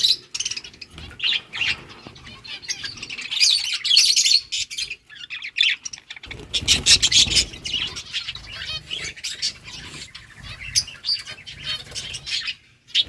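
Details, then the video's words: Budgerigars in a flock chirping: constant high warbling chatter and sharp twitters, with a brief pause before the chorus resumes and a low rumble in the background. "Beautiful budgies flocks birds chirping sounds"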